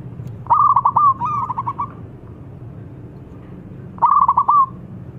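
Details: Local zebra dove, a frequent caller, calling to draw rivals into singing: rapid stuttering bursts of soft cooing notes, one long run followed by a shorter repeat after a pause, over a low background hum.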